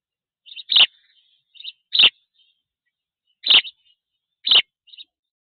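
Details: From a black stork nest camera in Tajo Internacional, Spain, on 27 June 2024, a Spanish sparrow gives four loud, harsh chirps about a second apart, each preceded or followed by quieter, clipped notes.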